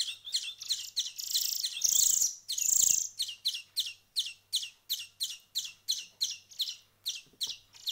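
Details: European greenfinch chicks being hand-fed, one week on, producing a continuous string of high, hoarse begging chirps, with a louder drawn-out burst near the start and then regular notes roughly every half second.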